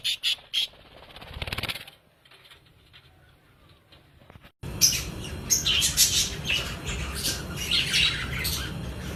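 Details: Budgerigars in a breeding colony of 100 pairs: after a few thumps and a quiet stretch, dense overlapping chirps and short squawks burst out, high and busy, with many birds calling at once.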